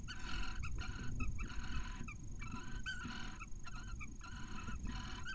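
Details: Barn owls inside a nest in Cabañeros National Park, where the male arrives with a mouse a couple of hours after a chick hatches; rapid harsh chittering bursts with layered harmonics, repeated in short runs about every half second over low rumble.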